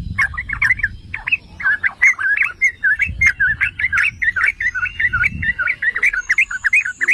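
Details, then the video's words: Yellow-vented bulbul, local name trucukan, in a continuous song meant to provoke other bulbuls: steady run of quick, warbled, bubbling notes, slight low background noise. "Pancingan dan Masteran Trucukan MEWAH"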